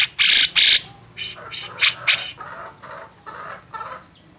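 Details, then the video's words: Grey-cheeked bulbul on a songbird training master, beset ngepik style: two long loud rasps, then sharper squawks and a series of softer, lower, nasal chattering notes fading away. "masteran burung cucak jenggot"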